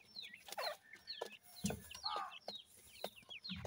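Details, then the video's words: Grey francolin chicks, both male and female, giving short high downward-sliding peeps in quick irregular bursts, with sharp clicking knocks and soft low clucks in between. "teetar chicks male aur female ke sound"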